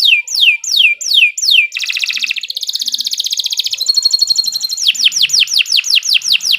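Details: Song of a Nusantara canary, used for tutoring: four loud downward-swooping whistles, a long fast rattling trill at steady pitch, a higher thin trill, then a run of about nine repeated descending swoops.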